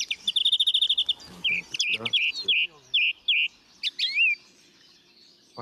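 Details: A song thrush, played as an example of repetitive birdsong in a talk, opens with a fast run of a dozen sharp, identical notes, then short whistled phrases, several repeated twice; a faint voice is heard briefly.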